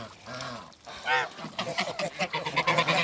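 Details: Mature pair of Toulouse geese reunited after being moved; a drawn honk, a pause, then a quick string of short clipped honks and cackles.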